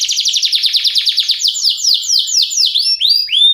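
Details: Canary kept in Ciamis, Indonesia: a very fast rattling trill of repeated notes slowing into wider downward slurs and ending with rising whistled notes.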